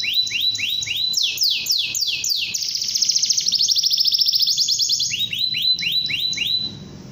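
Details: Long-singing canary used as a tutor for young canaries: repeated loud downward-sweeping whistles, a rapid buzzy trill in the middle, then a run of rising whistled notes.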